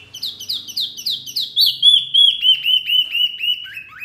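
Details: Noisy mini wambi bird whose calls rile other birds: quick high chirps run together, then a string of clear whistled notes sliding gently downward, delivered in fast succession.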